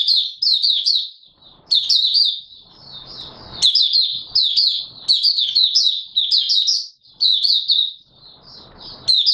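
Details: Oriental white-eye in open song on 24 March 2022: long, lively runs of high, thin, rapidly changing chirps, almost continuous, with brief pauses and faint background noise.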